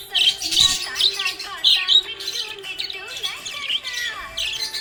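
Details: Happy pet budgerigar chirping, a continuous busy warble of high twittering notes, chattering squeaks and short whistled slides with no pauses, fairly loud and close.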